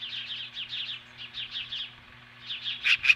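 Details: Osprey confronting magpies at the nest, Hellgate Canyon near Lolo, Montana, on the morning of July 15, 2015. Quick trains of high whistled notes ending in two loud, sharp calls, with a faint low hum beneath.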